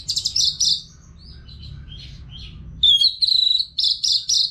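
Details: Orange-headed thrush from North Bali, a caged bird used to prompt others to sing: loud fast trilled notes, a soft interlude of faint warbles, then sharp rising whistles and rhythmic repeated trills.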